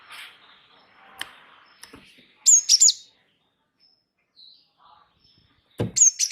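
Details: Java sparrow (gelatik wingko), a lively rolling-style singer used as a tutor recording for other birds: two bursts of high, sharp chipping notes in pairs and triples, with scattered clicks and knocks between them.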